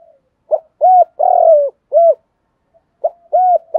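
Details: Decoy spotted dove used to lure and provoke wild birds, cooing in two phrases of clipped arched notes and a drawn-out falling coo, the second phrase starting after a brief pause.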